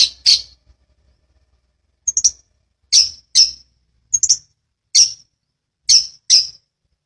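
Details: Long-tailed shrike, recorded as master material to train other birds in the dense rolling ngeplong style: short harsh, rasping high notes given singly or in quick pairs, spaced about a second apart with silence between.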